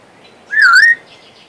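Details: One clear whistled note from a pet male Western Australian magpie. It dips slightly and then rises, lasting under half a second.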